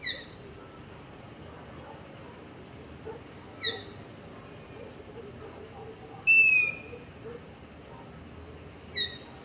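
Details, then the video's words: Long-eared owl begging calls recorded at night near a house with a Zoom H5 and LOM Usi Pro microphone: high, thin, squeaky descending screeches spaced a few seconds apart, one louder and longer, over quiet background noise. "Long-Eared Owl - Begging Call"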